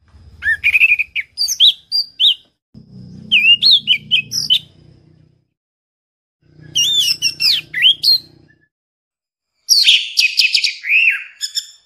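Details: Orange-headed thrush singing in varied, rich phrases of twisting whistles and chirps, grouped in bursts separated by silent gaps, with a low rumbling background hum under some phrases; a training recording for caged songbirds.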